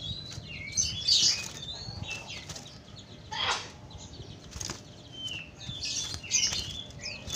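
Bright, bubbly bulbul phrases of short chirps and slurred whistles come in bursts every second or two, broken by soft rustling thumps.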